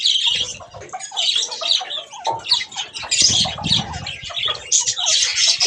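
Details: Pet budgerigars bathing: continuous harsh chattering and squeaky calls from several birds, with splashing and wing-flapping noise underneath.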